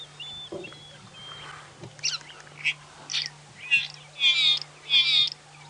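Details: A lesser striped swallow call, played back as a recording beside a dam at Djuma Game Reserve, South Africa, at sunrise on 24 January 2017: short, nasal, buzzy notes growing louder and fuller over about four seconds, with a low steady hum.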